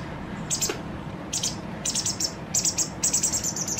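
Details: White wagtail fledgling, two days before becoming independent, begging while a parent feeds it its fill: short, very high chirps in bursts, quickening into a rapid twittering series near the end over a low steady background hum.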